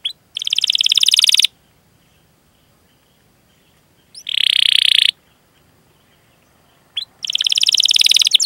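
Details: Canary singing rolling trill phrases used to provoke other canaries to sing: three fast, buzzy rattles of short repeated notes, each introduced by a brief chirp and separated by pauses of about two to three seconds.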